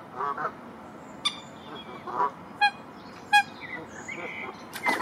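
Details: Moorhens protecting their young and territory: a few short, sharp, explosive calls spaced about a second apart stand out over a steady low hiss, with fainter thin chirps between them.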